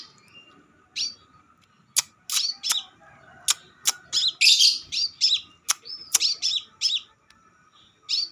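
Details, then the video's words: Crimson sunbird recording used as a lure to attract birds: bursts of high, sharp chirping notes come in quick clusters roughly every half second, broken by loud dry clicks, over a steady faint hum. "pancingan burung Kolibri sepah raja"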